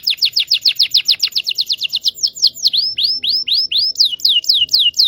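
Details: Lure song of a local canary from Indonesia, used to teach young canaries to sing: a fast string of sharply falling whistled notes, about four each second, slowing into looser arched chirps near the end.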